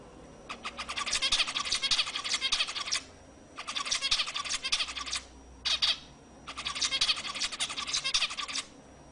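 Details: Zebra finch song for encouraging females to mate: three long bouts of rapid, buzzy, chattering notes separated by short gaps, with one brief double note between the second and third bouts.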